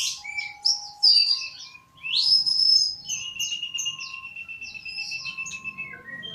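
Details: Magpie-robin singing melodiously, opening with bright high whistled flourishes, then a long even trill of rapidly repeated notes lasting several seconds, with steady background tones underneath.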